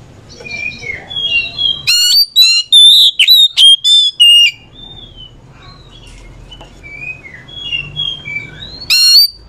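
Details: Oriental magpie-robin, kacer, singing back and forth with another bird: varied clear whistled phrases, rising and falling slurs, and a burst of loud harsh repeated chattering notes in the middle, ending with another loud phrase.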